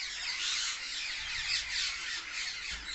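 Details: Brief burst from a flock of parrots in a tree: continuous overlapping high, scratchy chirps and squawks, the loudness surging briefly in the middle.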